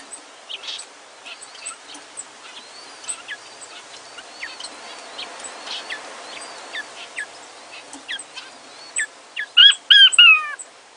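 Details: Four newly hatched cinnamon King quail chicks with their parent pair give thin, high, rapid peeps, several every second, then a few louder, clearer chirps close by near the end. Faint background hiss throughout.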